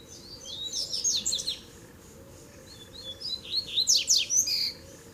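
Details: Three male Rusty-collared seedeaters fighting in a song duel: two bursts of rapid, high, sweet twittering phrases with quick slurred notes, separated by a short pause, over a constant low hum.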